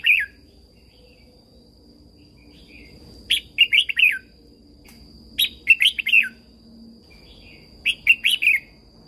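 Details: Thai caged red-whiskered bulbul singing a training song used to get other birds excited and singing: three near-identical short phrases of quick, jaunty warbled notes, each about two seconds apart, with a steady faint tone behind.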